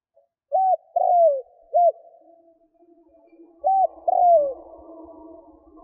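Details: Spotted dove cooing to lure wild doves. A short coo, a long falling croo and a short closing coo, then the opening pair repeats over a faint background drone.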